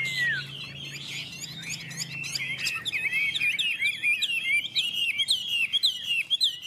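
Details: Chinese hwamei duelling in song, two birds: a drawn-out falling whistle opens, followed by busy overlapping warbled and slurred phrases at a fairly high pitch.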